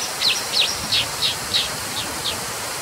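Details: Brown dipper repeating sharp, slightly falling high chips about three per second, seven in a row, against a steady rushing hiss.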